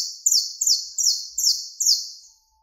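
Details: Contest song of a saffron finch (canario criollo) for teaching captive birds: five sharp, high, buzzy notes, each sliding downward and fading, spaced about two-fifths of a second apart, then silence.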